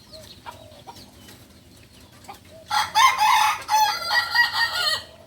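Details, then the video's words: Native Solok chicken from West Sumatra, a young Balenggek rooster still learning, quiet at first, then bursting into a loud multi-part crow of rich harmonic phrases broken by short pauses, fading at the close. "Ayam kukuak balenggek PEMULA ayam asli solok sumbar"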